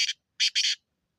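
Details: Black francolin calling: a short harsh note followed by two loud, rasping, buzzy notes in quick succession, clear against silence.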